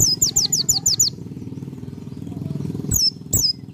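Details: Pleci dakun white-eye in full ngalas song, close to nembak: about seven quick high descending chirps in a fast row, then two separate chirps, over a loud low engine-like rumble.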